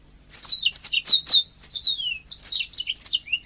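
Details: Canary singing continuously for a training recording: loud downward-sweeping whistles followed by a long slurred note falling in pitch, then dense high twittering.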